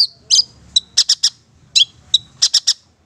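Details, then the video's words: Long-tailed Shrike, Madura type, singing busily in a recording meant for tutoring and prompting other birds: sparse bursts of sharp high chirps and short clustered notes near one second apart, with brief whistled slurs and pauses between. "Masteran Suara Cendet Pentet Madura GACOR Cocok Untuk Pancingan"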